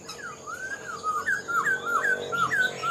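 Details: Black-throated laughingthrush, an older wild-caught caged bird, singing: a run of clear slurred whistles, each note dipping and rising, about three per second and growing louder through the phrase, with a faint steady hum behind.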